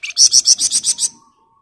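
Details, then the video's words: Dense ngebren song of a flamboyan bird for mastering other birds: one lower note then seven loud, evenly spaced shrill pulses in about one second, ending in a faint whistle. "Burung Flamboyan Gacor Ngebren Rapat"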